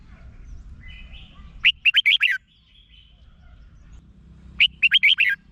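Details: Thai caged Red-whiskered bulbul singing as a lure to stir up other caged birds: two bright, bouncy phrases of five fast whistled notes about three seconds apart, with soft faint whistles between them.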